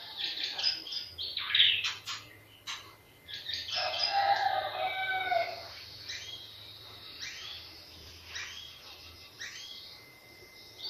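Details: White-rumped shama song used to provoke singing in other birds: loud varied bursts of whistles and chattering notes in the first six seconds, then sparser softer phrases.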